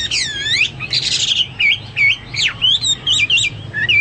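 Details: Hwamei in vigorous song: sweeping, looping whistles and a burst of rougher notes, then crisp, twisting phrases that dip sharply and rise again, delivered with brief pauses between them.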